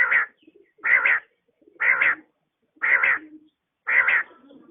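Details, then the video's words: A quail calling in the morning gives a steady series of short, burry, mid-pitched notes, about one per second, with faint background noise between them; tags suggest a female quail. "batair ki awaz | quail calling |بٹیر کی آواز صبح کے وقت"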